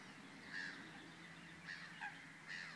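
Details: Black-winged stilt at Vrbenské ponds near České Budějovice, Czech Republic, 11 June 2016: nasal, yelping notes with bright overtones, given singly about once a second, over a steady background hiss.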